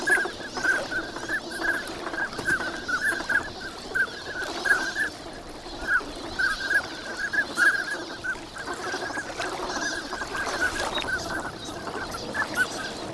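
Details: A dense gathering of wintering ducks calls at Lake Inawashiro's Nagahama shore on a fine morning. An almost continuous chatter of short whistled notes comes from many birds, in waves of louder and softer bursts.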